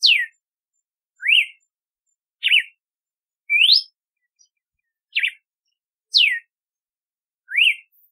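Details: Song of a red-cowled cardinal (galo de campina): seven separate sharp whistled notes alternating between steep downslurs and rising upslurs, delivered roughly every second in an even, measured series against a silent background.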